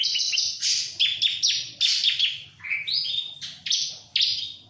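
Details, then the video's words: Bar-winged prinia, known locally as ciblek, gives a loud, hurried song of bright chirps and falling whistled notes packed into quick bursts, with a soft hum beneath. "Burung CIBLEK ga stress sama jalak"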